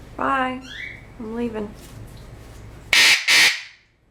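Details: A 13-year-old male eclectus parrot kept as a pet says two low, voice-like drawn-out words. Two loud, harsh squawks follow in quick succession, against indoor background hum.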